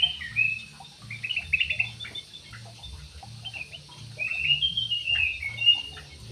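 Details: Jalak suren (Javan pied starling) giving bursts of scratchy chatter and rising, slurred whistles, ending in a longer warbled phrase, with a constant low hum beneath.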